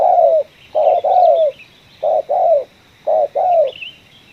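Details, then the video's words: Spotted dove in a coffee field giving the ngeruk, kuk 1 style call: three paired, descending coos, each pair a short note followed by a longer one, with faint distant bird chirps. "target kita tekukur suara ngeruk, kuk 1"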